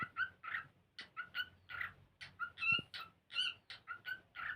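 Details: Cockatiel singing and playing: a run of short chirped and warbled notes, some rising whistles, delivered in quick uneven bursts with brief gaps.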